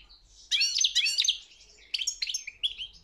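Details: European goldfinch singing in a song competition: two bursts of bright, high twittering and liquid trills, a tumbling phrase near the start and a shorter chirpy phrase later, with a quiet pause between.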